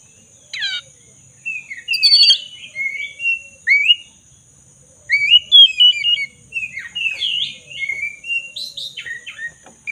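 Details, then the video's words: Black-breasted Oriental magpie-robin in full, steady song, played as a lure to restart a silent bird; loud whistled slurs and rising notes mixed with harsh buzzy bursts, delivered in phrases separated by short pauses. "Pancingan kacer dada hitam gacor - pulihkan kacer macet bunyi"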